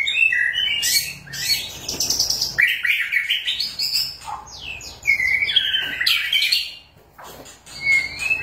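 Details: Indonesian white-rumped shama in full song, a recording meant to lure other shamas into singing: rich, varied, loud whistles that sweep up and down, with fast chattering flourishes between phrases.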